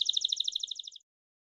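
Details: Belgian canary giving a short bell-song roll: about a second of evenly spaced ringing pulses that fade out, followed by silence.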